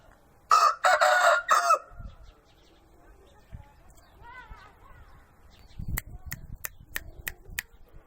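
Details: Chicken (Gallus gallus domesticus), crow.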